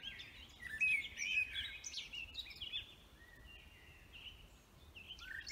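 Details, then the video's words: Birds singing in woodland, a loud twittering burst at first, then softer scattered chirps and a drawn-out whistle near the end. "Vogelgezwitscher Bird songs"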